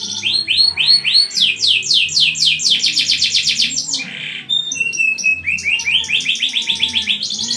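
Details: Canary in long, vigorous 'gacor' singing, said to make other canaries join in: rapid runs of rising swept notes, a buzzy trill near the middle, then steady whistled tones and more fast repeated sweeps over a faint low hum.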